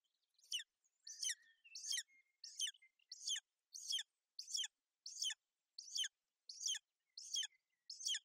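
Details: A golden eagle female at her Bucovina nest on 28 May 2021, covering her chick against inclement weather. Twelve sharp, high, falling chirps repeat steadily about every 0.7 seconds, with faint thin whistles early on.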